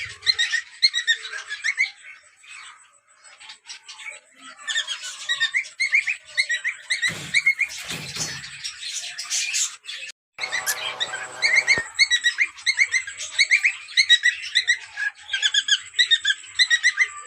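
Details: A cream-coloured breeding pair of cockatiels gives bright, repeated whistled chirps and short warbling phrases in a steady chatter.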